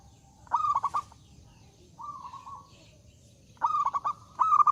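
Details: Zebra dove in full, loud song meant to invite rivals to sing: phrases of rapid staccato cooing pulses run into a steady level hum, three phrases separated by short pauses, against a low background rumble.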